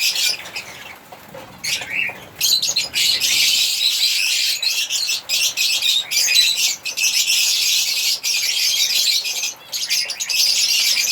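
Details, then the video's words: African lovebirds singing and chirping: a dense, continuous stream of shrill, high-pitched squeaky chirps and chatter with brief pauses, busiest after the first few seconds, with no other clear sounds. "African Lovebirds singing and chirping sound"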